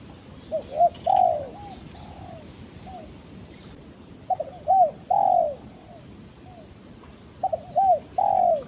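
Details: Spotted dove calling its companion with three phrases, each of two brief coos and a long falling coo plus a soft trailing note; faint high ticks in the background.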